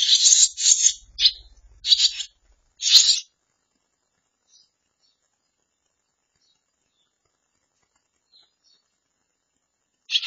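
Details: Barn swallow nestlings nearly ready to fledge, in a handmade nest put up after their nest was broken nearby; a rapid run of loud, harsh, high buzzy squeals over three seconds, then near silence before another burst.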